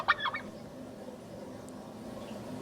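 A turkey gives one quick, rattling gobble in under half a second, then only a low steady hum remains.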